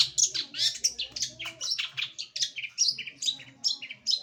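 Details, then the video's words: Cendet, or long-tailed shrike, kept by bird lovers, singing a full 'gacoran': a dense, continuous chatter of high, scratchy and whistled notes, varied and rapid, several each second, with faint background hum. "Gacoran Full Burung Cendet"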